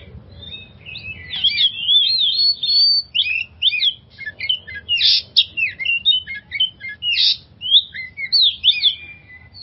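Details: Oriental magpie-robin song used as a lure to get stressed magpie-robins singing: a rich, continuous run of varied whistles, slurred warbles and quick chattering notes, bursting in dense phrases with brief gaps, over a faint low rumble.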